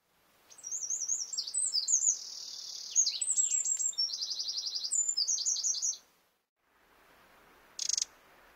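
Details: Eurasian wren in Córdoba: a loud, high-pitched song of rapid trills and warbling phrases delivered without pause for about five seconds, ending abruptly, followed by a brief high chirp against a quiet background.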